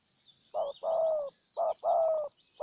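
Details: Spotted dove used as a decoy in Ninh Thuận to win over a wild bird: deep, throaty coos in pairs, a clipped first note and a drawn-out descending second, with a thin whistle and soft chirps in the background.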